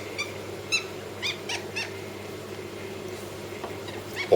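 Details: Southern ground hornbill chicks, recorded 18 June 2023, give short, harsh, wheezy calls, about five in under two seconds, then quieter ones, over a steady low hum.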